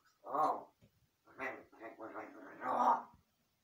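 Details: Talking to itself, a large-billed crow imitates a human voice: a quick run of throaty, speech-like syllables, one short sound, then a longer, rapid chattering phrase that ends in a drawn-out, voice-like note.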